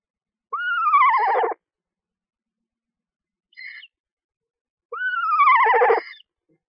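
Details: At a nest box with two newly hatched screech owlets being fed, two loud quavering whinnies fall in pitch, each lasting about a second, separated by a short, faint high chirp.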